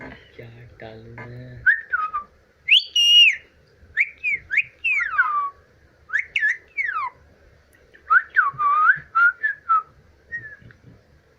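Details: Pet Indian ringneck parrot, which laughs, whistles and copies speech: a string of clear whistled notes, some sliding up and down in looping phrases, separated by short pauses, with a low hum and faint voices at the start.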